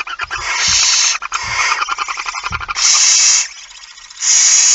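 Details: Barn owl at night, 17 September 2019 at 23:55, as the male comes in with a mouse: loud continuous hissing screeches mixed with scratching, clicking and shuffling thumps.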